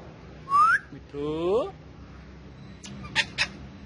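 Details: Pet male ringneck parakeet, a talking bird kept with other parrots: a bright upward-sweeping whistle, then a harmonic, voice-like rising phrase, followed after a pause by short clicky noises, over a low background hum.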